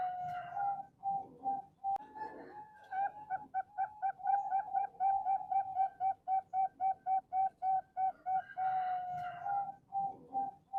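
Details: Captive male zebra dove in Bantul, Indonesia, sings long runs of rapid, staccato coos at about four per second, framed by drawn-out purring notes, with light background hiss.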